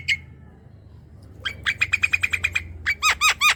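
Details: Javan myna singing to prompt a silent young myna: a squawk, a pause, then a fast train of harsh, even, buzzy pulses holding one pitch, followed by a few louder rasping notes.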